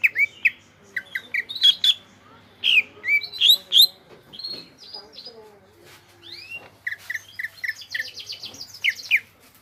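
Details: Greater green leafbird (cucak ijo) with a varied, chattering song mixing sharp whistles, slurred notes, buzzy trills and rapid chips in irregular succession.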